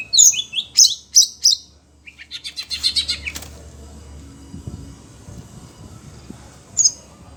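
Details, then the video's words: Caged Oriental magpie-robin, agitated on hearing other birds, in rainy-season weather: four sharp high whistled notes, then a quick run of chattering notes, a long pause with low background hum, and one last high note. "Kacer SUNEO emosi denger suara burung lain"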